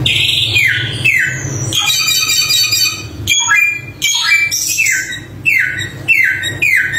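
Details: Samyong (Chinese hwamei) singing vigorously: loud, clear whistled notes that slide steeply downward, repeated in quick series, mixed with richer, buzzy high phrases and short breaks between bursts.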